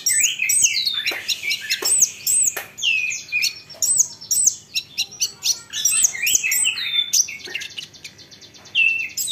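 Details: Olive-backed sunbird song, played to provoke other sunbirds into answering: dense bursts of very high, thin chirps and sharp down-sweeping notes in quick runs, broken by short pauses, with rapid twittering trills between.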